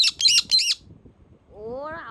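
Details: Pet parrot at home, presented as a talking bird and coaxed by its owner: three rapid grating squawks, then a pause and a smooth, rising drawn-out tone at the end.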